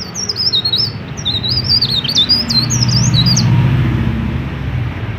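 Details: Prolifically singing mountain leaf warbler, used to prompt untrained leaf warblers to start singing: one long, rapid, high twittering phrase of zigzagging whistled notes lasting about four seconds, over a steady low rumble.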